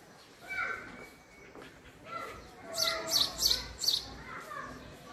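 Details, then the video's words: House sparrow calling in a quick run of four or five bright, sharp chirps near the middle, preceded by softer lower sounds and a hum of background noise. "sparrow sound: female Sparrow sound vs. male Sparrow Sound, house sparrow call"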